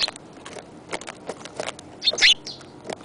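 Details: Sparrow chirping: a scatter of faint, short high ticks, then a louder, sharp cluster of chirps about two seconds in, followed by a quieter note near the end.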